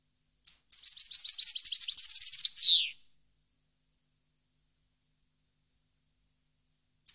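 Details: European goldfinch singing at Parva, 2015: one three-second phrase of quick tinkling notes, a sweet trill and a falling buzzy finish, followed by silence apart from a short chirp at the end.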